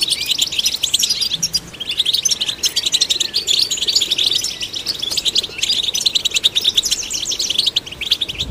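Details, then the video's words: Goldfinch song delivered to stimulate goldfinches: a fast, unbroken stream of bright twittering notes, jingling trills and short nasal buzzes, running steadily for over eight seconds with only a brief dip near the end. "Golden Songbird vocal performance to stimulate the goldfinch"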